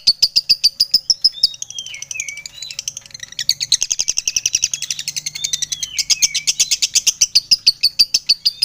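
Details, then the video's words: Fighter-type lovebird in full voice, its long ngekek chatter with short pauses: dense, rapid, high chirps and ticks, broken by a few squeaky, slurred whistles, then a renewed burst of fast chattering. Faint low hum underneath. "SUARA LOVEBIRD FIGHTER GACOR NGETIK NGEKEK PANJANG JEDA RAPAT"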